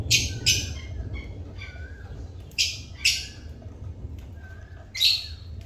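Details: Pet lovebirds calling with sharp, scratchy chirps spaced irregularly about a second apart, some louder squawky bursts between softer notes, with a low background rumble.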